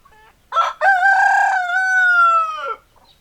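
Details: Rooster crowing: a short clipped opening note, then one long, strongly harmonic, slightly hoarse cock-a-doodle-doo held for about two seconds. It rises a little, stays level and falls away at the end, against near silence.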